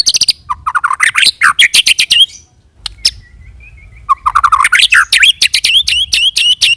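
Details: White-rumped shama lure song in rolling style to draw responses from other shamas: dense rapid bursts of sharp chattering notes and rising whistles, a brief quiet gap with a soft thin tone, then more fast rolling notes.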